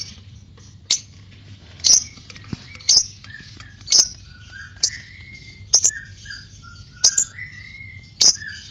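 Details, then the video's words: White-beaked lovebird giving sharp, clipped chirps roughly once a second, mixed with softer whistled notes that slide between calls, over a low background hum. "LOVE BIRD ngekek panjang (Paruh Putih)"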